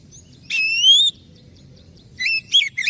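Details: Oriental magpie-robin lure song to stir a bird that has gone quiet or is stressed: one long rising whistle, a pause, then quick wavering whistled notes.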